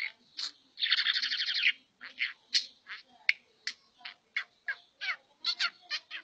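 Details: A super-tame talking budgerigar from Pakistan chatters in a rapid, buzzy stream of scratchy chirps and clicks.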